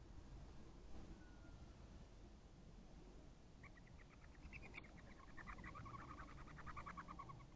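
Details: Partnered female barn owl at a nest box before dawn, 5:08 am on 11/3/23, driving off a rival female; after a few quiet seconds a fast, chittering series of high, evenly spaced pulses rises over a steady low rumble of background noise.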